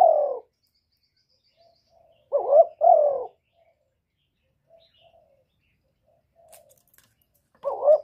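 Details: Spotted dove in 'một hậu ròng' calling: low hoarse coos, a lone note at the start, a clear two-note phrase midway and another note at the close, with long quiet gaps between.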